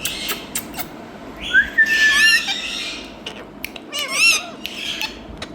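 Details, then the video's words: Parrot in India making a rising whistle that flattens out amid harsh squawking. Later comes a wavering, warbled call, with faint clicks between phrases. "Talking Parrot"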